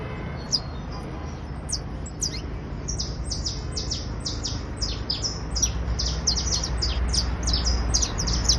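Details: Trilling song of a criollo basto canary: high, clipped notes that start scattered, then grow into a fast, steady stream of repeated downward slurs, over a low rumble.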